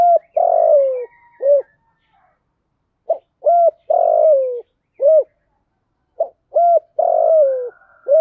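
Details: Spotted dove kept as a decoy for wild doves in the rainy, windy season, cooing in thổ sấm style: rhythmic phrases of short rounded notes and a long falling coo, repeated about every three seconds.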